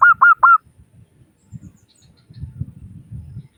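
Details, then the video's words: Zebra dove of a local strain, played to spur other doves into calling: three short, staccato cooing notes at the start, followed by scattered low knocks and rumbling background noise. "Suara Burung Perkutut Lokal Gacor Pancingan Perkutut Agar Cepat Bunyi"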